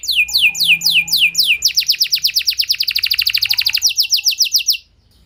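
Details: Canary singing intended to provoke other canaries into extended song. Swooping whistled notes speed into a rapid, even trill, then slow to separate sweeps before falling silent.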